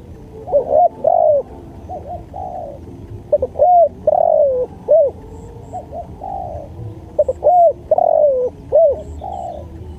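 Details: Spotted dove song recorded as masteran for luring birds: repeated phrases of soft stuttered notes, long mellow falling coos and rounded arched notes, with fainter overlapping coos between the louder phrases.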